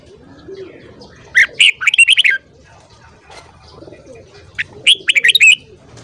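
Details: Red-whiskered bulbul singing in the morning. Two fast phrases of six or seven chirpy, tumbling whistles, each lasting about a second, are separated by a quiet gap with faint murmur.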